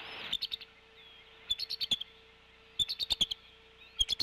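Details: Adult female bald eagle calling at the Decorah N2B nest on a March 2016 morning while brooding a chick beside an egg. Three bursts of high, sharp piping notes, several quick notes per burst, separated by short pauses.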